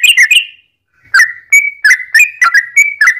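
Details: Sooty-headed bulbul song used to make other bulbuls answer: two quick whistled notes, a pause of half a second, then a chain of short downslurred and level whistles about three per second.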